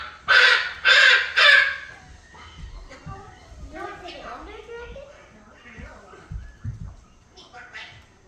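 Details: Red-sided eclectus parrot, a 3-year-old male pet, vocalising before bed when unobserved; three loud, harsh squawks in quick succession, then quieter mumbled speech-like chatter and soft clicks.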